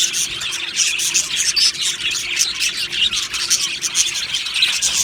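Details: Many Australian budgies chattering in an aviary colony, a cheerful flock: dense, buzzy warbling and quick repeated tweets blend into one continuous high babble with small louder peaks.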